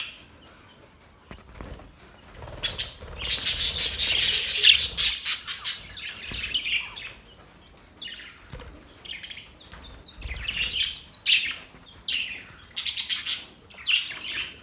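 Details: Happy budgerigars: quiet start, then a loud harsh squawking burst around three to five seconds, followed by scattered short chirps and warbles in quick clusters.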